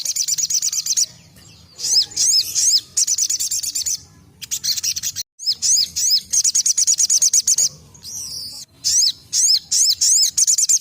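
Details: Crested jay in lively 'tembakan' (shooting) song, used for tutoring songbirds: high, sharp chirps in fast bursts of repeated, slightly downslurred notes, broken by short pauses, over a faint low background hum.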